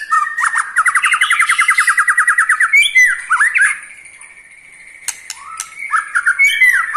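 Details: White-rumped shama, eight months old and kept caged, delivering a ketrekan rattle meant to stir other shamas: a fast, evenly pulsed mechanical trill lasting about two seconds, then slurred whistles and sharp clicks.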